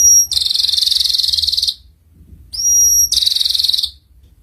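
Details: Canary master song, ngeriwik style, meant as a model for young canaries: a thin pure whistle followed by a fast buzzy roll, the same pair given twice with a short silence between.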